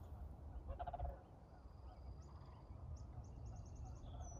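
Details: Sandhill cranes flying over a garden on 3 April in early spring after a cold night: a brief rolling, trumpeting rattle, distant over steady wind rumble, with a few faint high chirps from small birds toward the end.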